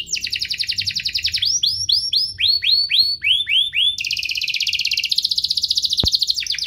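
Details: Two canaries singing vigorously, used to stir canaries to sing and to train young birds: a fast trill, then looping whistled sweeps about four per second, then a long dense high roll ending in a sharp click.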